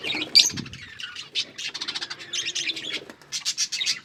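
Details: Budgies feeding on green food produce rapid, buzzy chirps in short trains, mixed with brief squeaks and a low knock near the start.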